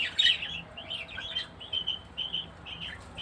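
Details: Female budgerigar during care time giving a rapid series of short, bright chirps and warbles, uneven bursts with brief pauses between them, over a quiet indoor background.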